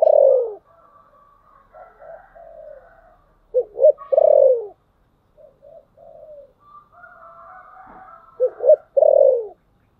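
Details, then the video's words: Spotted dove lure bird cooing in the thổ sấm voice style, used to provoke wild doves: deep, loud hoarse coos with a quick stuttered lead-in, about every four seconds, with fainter higher cooing between. "Cu gáy Giọng thổ sấm/ Tiếng cu mồi thúc bổi"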